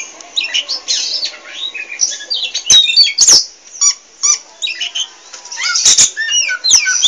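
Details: Restless, talkative song from an Oriental magpie-robin of the pied 'poci' type: dense runs of whistled slurs, squeaky chips and loud sharp clicks, rarely pausing.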